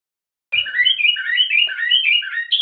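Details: Common (Moroccan) bulbul song: a quick run of rich, fluty whistled notes, alternating low and high phrases in a bubbling, chattering sequence, with no other sounds.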